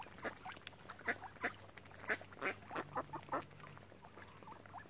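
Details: Ducks crowding around visitors on Lough Neagh at Oxford Island, Ireland: a run of short, harsh quacking calls, about three per second at irregular intervals, from several birds close by, with a faint low hum underneath.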